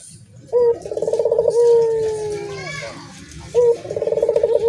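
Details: Dove cooing: a clear whistled note, then a fast pulsing trill, then a long smooth falling tone. The phrase then starts again.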